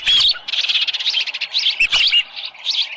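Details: At the nest, an osprey gives a near-continuous stream of high, squeaky chirps in a summer morning recording from July 2018, with a headless fish at the nest.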